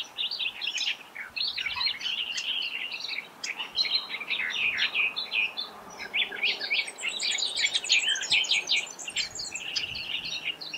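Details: Australian reed warblers, perhaps several, at Laratinga Wetlands, South Australia, on 9 January 2021, chatter continuously in fast, rich, scratchy phrases mixing harsh churrs with sweeter repeated notes; a Superb Fairywren's high twittering joins near the end.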